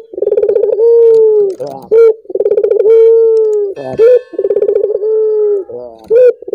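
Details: Collared dove (puter) cooing, played to set other doves singing. The phrase comes three times, about every two seconds. Each is a rolling, purring start, then a long, steady, low coo that ends in a short, sharp upturned note.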